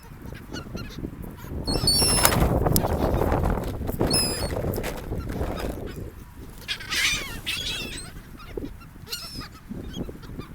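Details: Seagulls at a beach on a gulf, mixing with people; a few sharp, yelping cries near two and four seconds, then softer calls later, set against strong rushing surf and wind noise.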